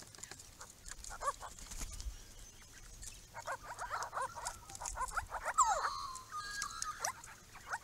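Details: A group of Grey-crowned babblers at a pond on a property gives scattered clicks and short downslurred squeaks, then a burst of chatter with one loud falling whistle and a drawn-out nasal note.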